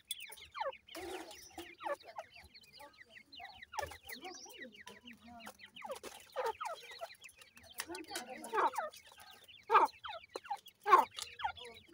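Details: Grey francolin chicks calling for their mother: clear, thin, descending peeps repeated rapidly by several birds, with a few knocks and handling sounds.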